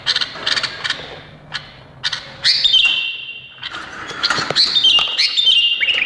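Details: Indonesian bulbul giving bright, clear whistled phrases and short chattering notes, with long steady whistles toward the end; several birds may be calling together.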